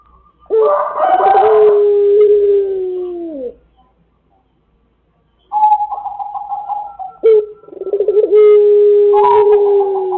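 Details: Crowing Pelung chicken on a lure recording meant to set other birds crowing: a long, low, drawn-out tonal crow that wavers and slowly falls. After a silent pause, a second long crow begins sharply and holds a steady pitch.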